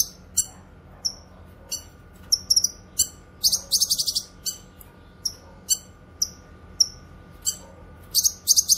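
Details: Grey-cheeked bulbul (cucak kinoy) for tutoring and luring: steady run of sharp, high, downslurred chips roughly every half second, broken by a few bursts of fast buzzy rattling notes.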